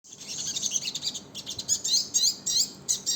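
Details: Crimson sunbird (sogon) in the rapid, continuous trotol song style: dense, very high, thin twittering notes tumbling in quick bursts with almost no pause.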